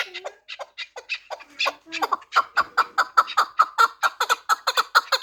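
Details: Four-year-old Pamir chukar partridge kept for fighting and hunting: uneven scratchy notes quicken into a steady, accelerating chatter of clipped chuk calls, roughly two to three per second, with a low murmur early on.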